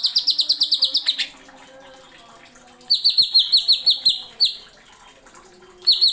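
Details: Greater green leafbird (cucak ijo) in a masteran tutor recording, singing in the rapid 'nembak' style with sharp fill-ins: a fast burst of about eleven high, bright chirped notes in one second, a pause, then another quick run of chirps and short sweeps; faint background noise.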